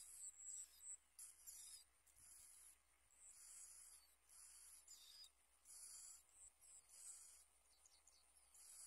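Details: Bar-winged prinia chicks being fed blue worms by the adults give thin, hissing, very high begging calls in bursts about a second apart, over a soft steady background hiss.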